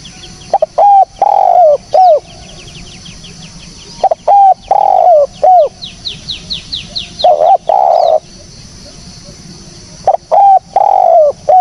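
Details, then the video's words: Spotted dove voice for use as a bird-catching lure: loud, clear coo phrases of two to three mellow notes, the longer last note sliding down, repeated about every three seconds, with faint twittering of small birds between phrases. "SUARA BURUNG TEKUKUR BERSIH JERNIH, cocok buat pancingan / pikat"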